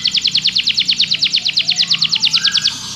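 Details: Belgian canary song used to train other canaries: an evenly paced series of about twenty slurred downward notes, roughly eight per second, then a soft fading tail.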